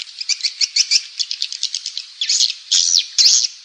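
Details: Swiftlet calling and roosting lure sound, used by swiftlet farmers in Indonesia to draw birds into roosting houses: rapid high twittered chirps, about two per second, then denser buzzy chattering bursts toward the end.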